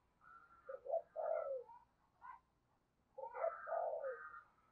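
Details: Caged decoy spotted dove of the deep 'thunder' voice style, calling to attract wild doves: two groups of quiet throaty coos separated by a pause, over a low steady background hum.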